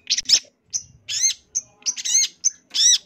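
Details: Champion long-tailed shrike (cendet) delivering its 'isian' song, used as a tutor recording: short, very high, scratchy bursts and thin whistled slurs separated by brief pauses, with some quiet low rumble.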